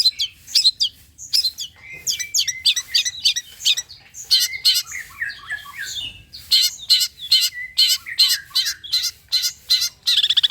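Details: Varied long-tailed shrike song, used to lure shrikes into singing: a dense, fast jumble of high chirps, harsh squawks and twittering notes, rising to quick, loud, repeated bursts in the second half.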